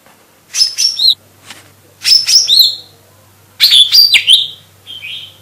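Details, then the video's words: Lesser green leafbird giving high, piercing whistled phrases of three to four quick notes, each burst ending in a downslurred trill, repeated about every one and a half seconds over a low steady hum. "GACOR SI BURUNG COCAK IJO MINI"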